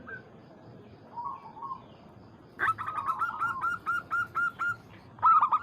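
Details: Local zebra dove, perkutut, calling a rival as a lure to provoke singing: faint cooing early on, then from midway a loud series of hooked, cooing notes at a steady mid pitch, repeated quickly with short gaps.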